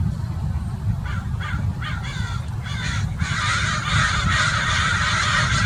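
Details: American Crows, a group mobbing in a park tree in Irvine, Orange County, California, continuing after a Peregrine Falcon has left; harsh, hoarse caws repeated rapidly over about three seconds, then a denser, rougher chorus, over a steady low rumble.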